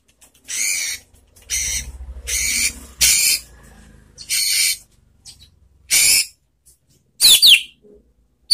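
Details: White-rumped shama in relaxed song, used by keepers to coax other shamas into answering: harsh buzzy bursts roughly every second, then two sharp, twisting whistled notes near the end.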